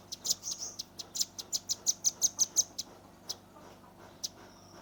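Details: Juvenile red-billed nuthatch in 'tembakan' style, captured on a Redmi 10: an evenly paced series of loud, very high, sharp ticking notes, fading into a few spaced chips and a faint thin whistle.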